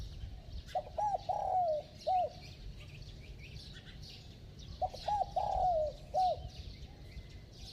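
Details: Spotted dove, bell-toned voice, delivering two cooing phrases about four seconds apart, each of quick hoots, a long falling coo and a final short note, against a noisy background of high chirps.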